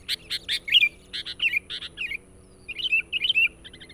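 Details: Persistent, lively chatter of a sooty-headed bulbul, meant as a lure for wild birds: quick clusters of sharp chirps alternate with short bubbly, wavering phrases, a pause at mid-clip, then more warbles and a trailing run of thin notes.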